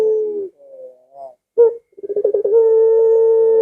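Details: Barbary dove calls, played to lure pet doves into calling along: a flat, sustained cooing tone with harmonics, a brief wavering note, a short sharp burst, then a rapid rolling pulse run into a long steady coo.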